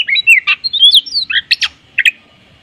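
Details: Oriental magpie-robin in brief morning song with tembakan kapas fills: a quick rush of bright whistles and descending slurs, then a few sharp, harsh bursts before falling silent.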